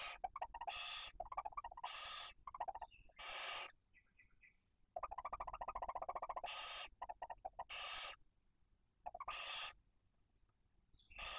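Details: Barn owl family at the nest in Cabañeros National Park, Spain, as the male's prey feeds the female and two chicks: repeated loud rasping hisses alternating with rapid buzzy chittering runs and a few faint squeaks.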